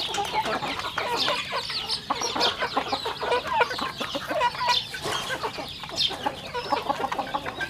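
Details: Chickens at a rural home farm during feeding, giving soft, rapid clucks and scattered high peeps in a constant, layered flock murmur.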